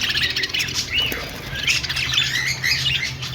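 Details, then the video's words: Budgerigar singing, with bright chirps, short upward- and downward-sliding whistled notes, and scratchy chatter packed closely together. A faint low hum sits beneath. "Budgie singing and dancing || parakeet chirping sounds"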